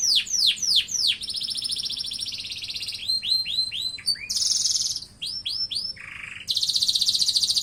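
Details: Canary in full song, opening with quick descending slurred notes, then a long high buzzy roll, a run of rising chirps, a brief low buzz, and a loud rapid pulsing trill at the end.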